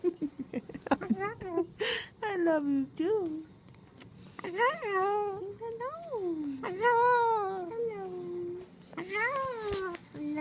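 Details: Pet Moluccan cockatoo indoors, talking while playing with a box: a run of quick clipped syllables, then longer speech-like phrases that rise and fall in pitch, several drawn-out arching notes, with brief bumps and handling noise between them.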